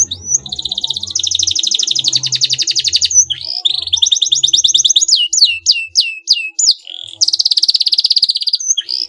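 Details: Canary song meant to make a rival respond, made of long dense buzzy trills broken by a series of rising whistled notes, followed by another rolling trill; a low faint hum runs underneath.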